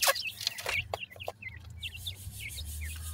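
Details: Francolin chicks (dakhni teetar) in a group, giving quick high slurred cheeps one after another, with a few louder broadband taps early on and a steady low rumble underneath.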